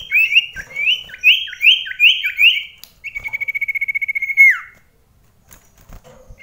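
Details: Common iora in an indoor song contest at close range: repeated upslurred whistled phrases, then a fast even trill of about twenty notes ending in a downslurred whistle, followed by near silence.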